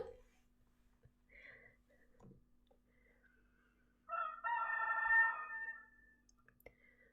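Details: One of several roosters gives one loud, harsh, drawn-out crow lasting about two seconds, after a few quieter clucks and soft background voices.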